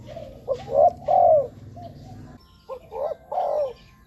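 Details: Spotted dove heard as a decoy for wild doves: two matching phrases of short, rising, throaty coos ending in a longer drawn-out croo, separated by a brief pause, soft cooing behind.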